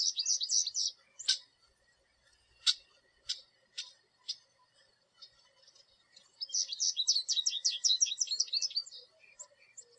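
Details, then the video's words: American goldfinch singing from a tree in a backyard where groups visit a thistle and sunflower feeder; a rapid twittering run of high chirps opens, scattered single notes follow, then a long fast jumbled twittering stretch. "American Goldfinch Call, Song And Sounds"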